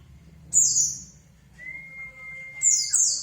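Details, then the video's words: White-eye song used as a lure to make another bird answer: high, thin, descending warbled bursts, with a long steady pure whistle held between them and a faint low hum underneath. "pancingan pleci biar nyaut"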